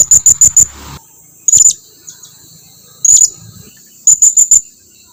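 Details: Blue-crowned hanging parrot calling to companions to come near: rapid four-note bursts of shrill, very high ticks, with loud single squeaky calls between the bursts.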